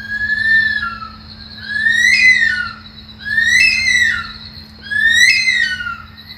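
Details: Bush stone-curlew screaming in the early morning in a garden in Australia: loud, drawn-out wailing whistles that rise then slide downward, eerie like a woman's scream, repeated about every one and a half seconds, with a faint steady hum.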